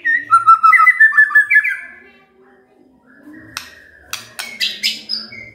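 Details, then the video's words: Magpie-robin song used as a lure to get a quiet bird singing: a quick run of clear, rich whistled notes slurring up and down for two seconds, a pause, then sharp clicks and higher bright whistles, with faint low murmuring behind. "Pancingan Murai DIAM Agar Rajin Bunyi"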